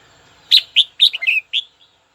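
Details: Red-whiskered bulbul, a kept bird being fired up and calling a rival: one quick phrase of about six bright, clear whistled notes, the loudest near the start, ending in a faint tail note.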